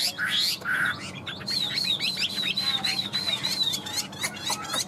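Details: Cage-tamed Chinese hwamei with yellow feet and bill gives a couple of harsh notes, then a steady chain of bright wavering whistles repeated many times in quick succession.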